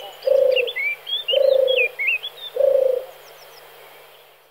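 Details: Male European turtle dove singing: three low, purring coos, each about half a second long, spaced roughly 1.2 seconds apart. Thin chirps and whistles from other small birds sound higher above.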